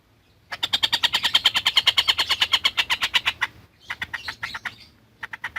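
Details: Collared kingfisher singing steadily for lovebird tutoring: a three-second string of quick, grating kek notes that fades a little, then two shorter, ragged bursts of the same clipped notes after a pause.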